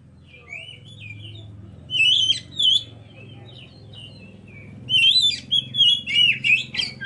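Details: Oriental magpie-robin; song; lure to provoke other birds into singing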